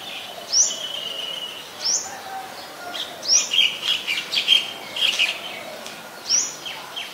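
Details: White-vented myna in Ubon Ratchathani, Thailand, 17 July 2020: sharp upslurred whistles rising steeply, spaced about a second apart, with a burst of quick chattering notes in the middle.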